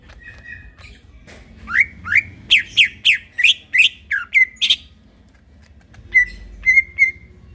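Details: Greater green leafbird in lively midnight song: a run of about ten loud, rising chirps spaced under half a second apart, followed by a pause and a few thin, even whistled notes.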